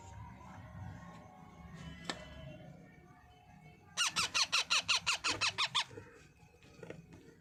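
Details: Baby parrot at feeding time: after a few faint clicks, a loud series of about ten harsh, buzzy squawks in steady rhythm, near three each second, then fading to quiet background noise.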